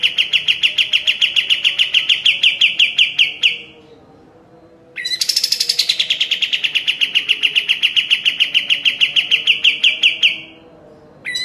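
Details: Sooty-headed bulbul in full song, used as a master recording for training caged birds: a rapid, even trill of sharp chirps around one pitch, with a short pause, then a louder, higher-starting burst that settles into the same fast trill.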